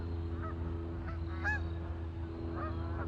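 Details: Ducks on a lake with a few separate honking calls, one louder burst in the middle and another near the end, over a low background hum.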